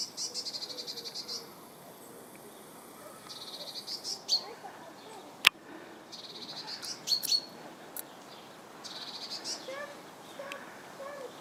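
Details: Eurasian tree sparrow on a branch in a bee-eater colony: bursts of rapid, high, scratchy chirps, each about a second long, repeating every few seconds, with one sharp click and faint low calls behind.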